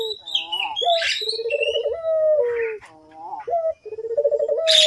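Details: Puter collared dove used as a calling lure: pulsed, rolling coos and long level notes recur in sequence, slightly quieter, with some higher squeaky sounds and a noisy burst at the close.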